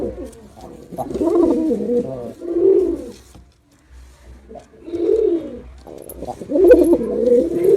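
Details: Male pigeon in performance, uneven bubbling coos of varying length, a longer rolling phrase followed by a pause and then two more low, throaty swells.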